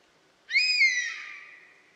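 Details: A single European honey buzzard call: a mewing whistle that jumps up quickly, holds, then trails off in a long, fading downward slur, with no other sounds.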